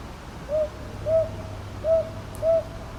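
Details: Four mellow hoots from a northern boobook in Ichijoji, Kyoto, 22 May 2023, given as two pairs, each note short and slightly arched in pitch, over faint low hum.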